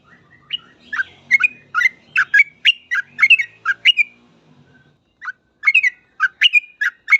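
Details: Full ropel gacor song of a sooty-headed bulbul, intended as a training master for bulbuls. Quick bursts of chirpy, bubbling notes, a brief pause, then a second fast run, over faint low background rumble.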